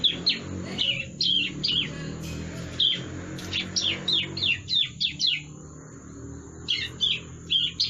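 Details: Young bar-winged prinia learning to sing: short high downslurred chirps in loose clusters, some doubled, with gaps between bursts, over a steady low hum and a faint thin high tone.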